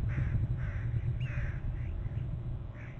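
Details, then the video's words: Bald eagles at a nest on Hornby Island, filmed by a nest and territory camera on November 13, both adults trilling: a series of high, slurred chirping notes repeated about every half second over a steady low wind rumble. "trills and mom on bst; flies off and back and dad in from left and both trilling"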